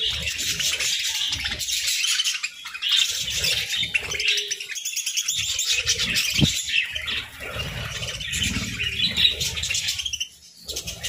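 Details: Pet budgerigars chirp while feeding on grass and moringa as a winter food: dense, continuous high warbling chatter with overlapping twittering notes, short pauses near two and ten seconds, and soft low crunching and rustling underneath.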